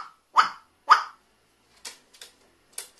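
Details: Captive carrion crow kept indoors in Japan, recorded 15 December 2019, in an oddly cheerful mood and repeatedly giving 'wa-wa' calls: two harsh, hoarse caws about half a second apart, followed by a few sharp clicks or taps.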